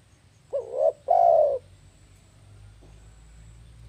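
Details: Spotted dove call used as a lure for trapping birds: a soft, low cooing phrase of two rounded notes, the second longer and louder, followed by a faint coo and a fresh note starting at the end, over a low background hum.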